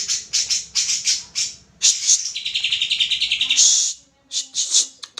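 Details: Greater green leafbird used as a lure to encourage singing: quick clusters of high chips, then a sustained buzzy, pulsing trill that rises at the end, followed by more short chattering bursts.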